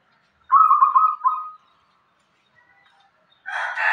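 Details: Local zebra dove with a single rapid, bubbling coo phrase of rolling notes fading out, then a short burst of broad noise at the end.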